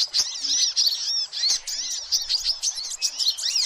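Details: Sunbirds calling noisily, a lure recording meant to draw in every sort of sunbird; rapid high-pitched twittering from several birds, sharp tweets and little arched notes packed tightly together throughout.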